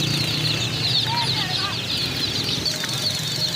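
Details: Chicks bought as new birds cheep in a thick, high-pitched chorus of quick descending notes, with a couple of brief lower whistled slurs near the middle and a constant low hum beneath.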